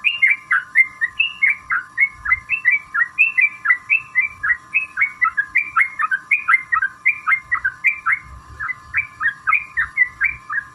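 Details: Yellow-vented bulbul in full, long rapid song, used as a lure to set other bulbuls singing; short bubbly two- and three-note chirped phrases repeated about twice a second over a steady electrical hum.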